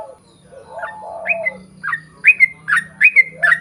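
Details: Yellow-vented bulbul in full song, used to coax other birds of its kind into singing: after soft low warbles, sharp doubled whistles rise and fall in a regular beat, over a faint steady low hum.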